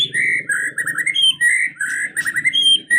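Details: White-rumped shama pouring out a continuous, lively song: mid-pitched warbled whistles run together with higher sharp notes, barely pausing, against a faint low hum.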